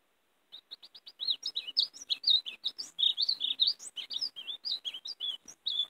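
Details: A European greenfinch sings a fast, bright twittering warble of high notes, opening with a few quick dry clicks, then running on without pause; the recording is used to call and catch greenfinches.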